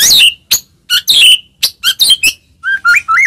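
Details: White-rumped shama, singing to spur other shamas into song: harsh scratchy bursts and sharp high notes with gaps between, then a few clear rising whistled notes at the end.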